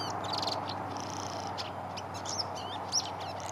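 Welcome swallow twittering: rapid high chirps, short trills and buzzy notes tumbling together over a steady background hum.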